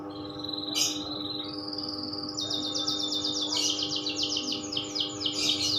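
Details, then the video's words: Singing canary, loper style: a held whistle that steps up into long runs of fast rolling trills, each phrase repeated several times per second, with a steady background hum. "Burung kenari loper"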